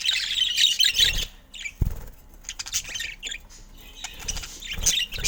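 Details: Pet budgerigars filmed at golden hour, said to be happy; bursts of high, scratchy chirps and warbled chatter come in uneven spurts separated by short quiet gaps, with a few low thumps.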